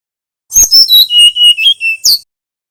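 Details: Brown-chested jungle flycatcher of the Bali type, nyuling song used as a lure for young birds: descending clear whistles in a steady run of about seven notes, closed by a sharp high chirp.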